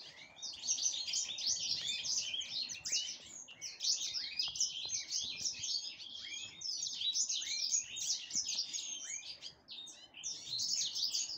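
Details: Black-headed canary (Serinus alario) preparing to breed, singing a fast, nearly unbroken stream of high, twittering and buzzy phrases full of quick rising and falling notes.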